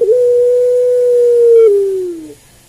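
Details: Barbary dove (Streptopelia risoria) giving a single long, smooth, steady coo that holds level for well over a second, then slides gently downward and fades.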